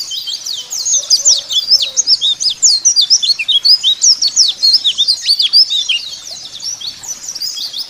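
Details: White-eye song used as a lure to make caged white-eyes open their beaks and sing: a dense, continuous stream of high, fast twittering and chattering notes, sharply slurred up and down, with brief soft low tones near the start.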